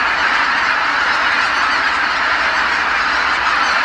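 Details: Huge goose flock back at Kabukuri-numa marsh at dusk after feeding, every bird seemingly calling; unbroken, dense honking chorus.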